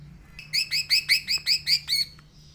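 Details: Green leafbird (cucak ijo) singing actively: eight bright, ringing, slightly rising-then-falling notes in an even series, about four per second, over a faint low hum.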